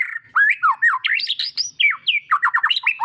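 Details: Vigorous magpie-robin song for retraining a bird that stopped singing: a continuous jumble of rising and falling whistled slurs and sharp squeaky notes, each phrase short and quickly changing.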